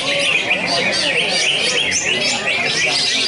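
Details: Greater green leafbird (cucak ijo, 'dolar' type) sitting calmly on a single perch, delivering continuous song bursts: dense, chattering twitter of quick up-and-down whistled notes and buzzy trills packed tightly without pause.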